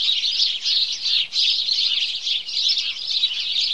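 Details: House sparrow morning chorus heard as pulsing waves of crowded, high chirps, the overall chatter swelling and easing roughly three times per second.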